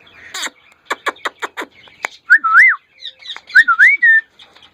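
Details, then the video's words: A hand-tame female Indian ringneck parrot giving a run of quick clicks and a chattering burst, then two slurred, whistled wavering phrases, in a quiet room. "indinan rose Ringneck parrot female talking"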